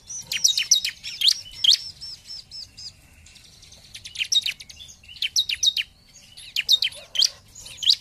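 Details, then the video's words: Ciblek, the bar-winged prinia, in lively nembak and ngebren singing used to provoke rivals. Bursts of rapid, piercing high chirps and trills are broken by a short quieter pause midway. "Pancingan Ciblek Paling Dicari ! Lawan Langsung Gacor"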